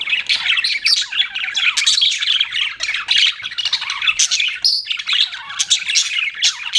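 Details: Continuous high-pitched chattering from pet budgerigars, quick raspy chirps piled together with a short lull in the middle.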